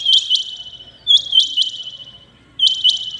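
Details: Loud, clear rain quail calling in the early morning: three bursts of sharp doubled high notes, about 1.3 seconds apart, with almost no background noise.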